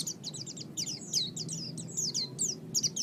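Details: Oriental white-eye song, a training recording for pet songbirds: a fast, continuous run of high, thin chirps, many sliding downward, delivered several per second over a steady low hum.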